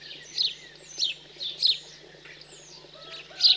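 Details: In central France's cold countryside on 15 June 2020, house sparrows feeding fledglings: four or five strident chirps spaced about half a second apart, with a few thin whistles in the background.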